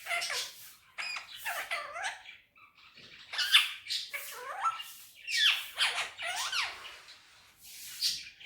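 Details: Indian ringneck parakeet on a table indoors, talking in Urdu/Hindi: a run of squawky, speech-like phrases with rising and falling harsh syllables, short pauses between bursts, and one high shrill note near the end.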